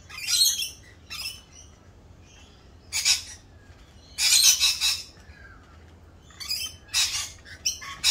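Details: Rainbow lorikeets during the mating season and mating dance, unusually raucous: bursts of grating, high squawks a second or so long, separated by quiet pauses.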